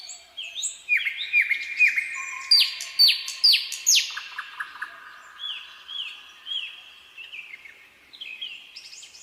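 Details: Common nightingale singing in a quiet spring pine forest: repeated downslurred whistles in fast series, rising to loud sharp notes, then a low steady whistle and softer repeated phrases, with other birds faint in the distance.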